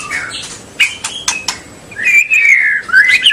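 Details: White-rumped shama used to encourage young and juvenile birds to sing: a few crisp clicks, then a sustained, wavering whistled phrase that rises toward the end.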